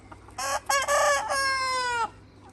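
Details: A free-range Red Mía rooster in a flock with hens gives one full crow: two short harsh syllables, then a long, strained note that sags slowly in pitch for over a second.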